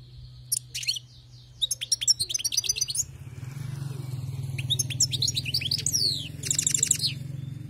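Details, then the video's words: European goldfinch from the wild singing in bursts: rapid tinkling twitters, rattling trills of evenly repeated notes and sweeping chirps, separated by short gaps, over a steady low engine-like drone. "أسمع وركز على المقنين الخلوي كيف يغرد"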